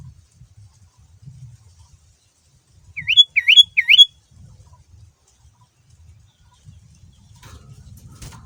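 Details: Male sooty-headed bulbul song used as a lure to make other bulbuls answer: three quick, upward-hooked whistled notes in about a second, then quiet with faint low rumble.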